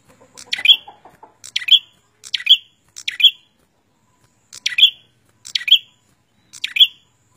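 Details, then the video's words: Prenjak singing energetically: a sharp, high chirp phrase repeated about once a second, each a short burst ending in a bright accented note, with a faint low fluttering sound near the start. "Suara Burung prenjak gacor cabe rawit"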